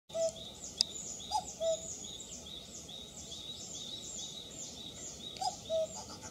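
Common cuckoo giving its soft two-note falling 'cu-coo', repeated about four seconds apart, over a steady high chirring of insects or distant small birds.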